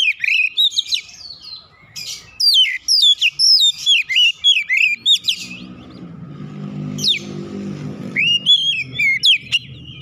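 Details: Agitated oriental magpie-robin (kacer), riled after provocation, pours out rapid looping whistles and sharp slurred notes in fast bursts, pausing midway amid low rumbling noise before resuming.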